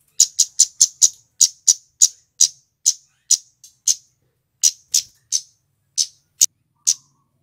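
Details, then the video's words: Lure recording of a male scarlet-headed flowerpecker: a rapid burst of high ticking 'cit' notes that gradually slows into spaced single ticks with short gaps. "Suara Asli KEMADE GACOR"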